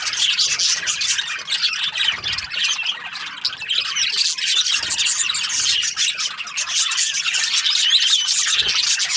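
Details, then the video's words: Australian budgies chirp nonstop, their high, scratchy warbling and quick clicks blending into a steady wall of chatter from many birds. "Australian budgies chirping sound"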